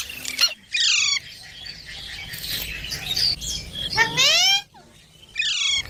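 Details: Green baby parrot: a few loud, rising, squeaky chirps, each under a second, spaced by a low steady background hiss.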